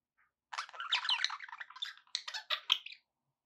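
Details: Pet budgie warbling in a continuous, fast, buzzy chatter of mixed squeaks and trills lasting about two and a half seconds, with sharper clicking notes toward the end.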